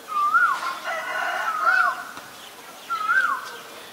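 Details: Common myna in Ubon Ratchathani, Thailand, on February 28, 2022, recorded with a Nikon P1000. It gives a whistled note that rises, then slurs down, repeated about every one and a half seconds against soft background noise.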